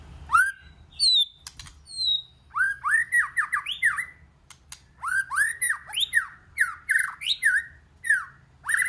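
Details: Multi-voiced singing of a white-rumped shama: a few thin, falling whistles, then long fast runs of loud, rolling, up-and-down whistled notes with hardly any pause.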